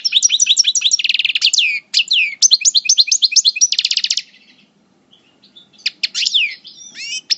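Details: European goldfinch, subspecies parva, moulting coupleur from El Bordj: long rapid runs of twittering and rattled repeated notes, about four per second, then a pause and a few scattered twangy chirps.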